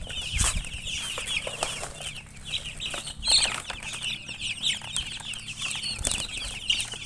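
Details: Many baby chicks peep constantly in high, thin, falling notes, while flapping wings and rustling produce loud thumps and bursts of noise.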